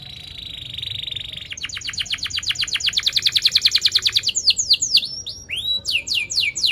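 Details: Canary singing vigorously, with sharp chirps and rolling trills, meant to teach young canaries and prompt silent ones to sing: a steady whistled tone, then a fast even trill of rapid notes, then loud separate downslurred whistles.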